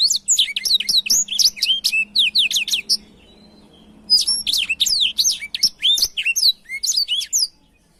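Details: Canary-tutoring song of a blackthroat: two long runs of fast, high, varied chirps and slurred whistles separated by about a second of quiet, with faint low hum behind.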